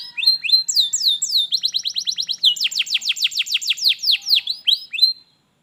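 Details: Master song of a canary meant to get an idle canary singing: rising whistles followed by a quick trill of repeated sweeping notes, then slower descending whistles before stopping.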